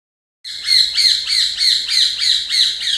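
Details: Rose-ringed parakeet, a talking green-neck parrot, giving a fast run of harsh, bright squawks about three per second, each a rasping note with a descending bend, steady and loud after a brief silent start.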